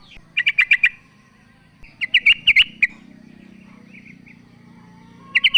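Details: A female sooty-headed bulbul calling the male: a fast run of five chirps, then a looser set of sharp notes, a pause with a low steady hum, and a new burst at the end.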